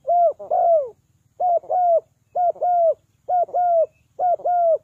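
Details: Spotted dove giving a lure call to draw birds down, in the three-kuk-hoi style: paired low coos, a short note followed by a longer falling one, repeated about once a second in a quiet setting.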